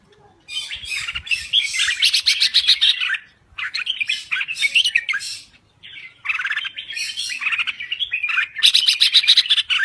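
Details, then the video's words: Red-whiskered bulbul from Thailand in full voice: three long bouts of rapid, harsh, buzzy chatter mixed with warbles, separated by short silences. "Kicau Burung Merbah Jambul Gacor"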